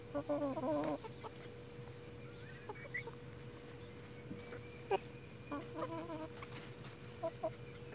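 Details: Chickens of the Plymouth Rock and Hamburg breeds with nature sounds: a quick opening burst of stacked harmonic clucks, then scattered softer clucks and another short run near the end, steady hum beneath.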